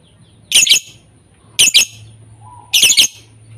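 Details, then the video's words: Lure call for lovebirds that are not singing: three loud, grating double squawks about a second apart, each made of two quick shrill notes, over a faint steady low hum. "Suara pancingan untuk lovebird kurang gacor"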